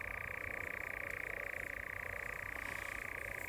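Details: Dusk courtship churring of a European nightjar, an unbroken, evenly pulsed mechanical reeling at a constant pitch for the whole stretch, with faint low rumble beneath.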